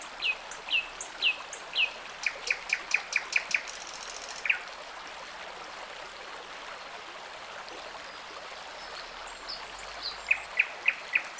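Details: Common nightingale singing by a forest stream in the Irish countryside, recorded with a Lumix G90 and Zoom H1N: sharp downslurred notes, then a fast run of repeated clicky notes, a pause, and another quick repeated series over steady murmuring water.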